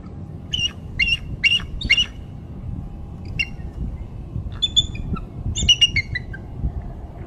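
An eagle gives harsh, high squealing notes, four quick ones, then a pause and two more bursts, over a low steady rumble of wind or distant traffic.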